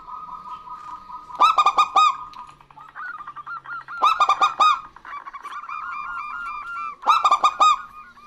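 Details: Zebra doves of a local strain, male and female calling back and forth: three strong bursts of quick, throaty coo notes, with lighter rhythmic coos filling the gaps.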